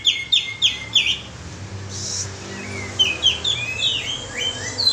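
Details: Lure call of the kapas tembak bulbul: four quick chirps, a pause, then a looser string of warbled whistled notes.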